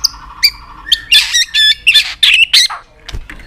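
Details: White-rumped shama, fired up and flicking its tail on a perch. Dense harsh chattering bursts mixed with brief whistles and clicks, delivered in quick, uneven volleys.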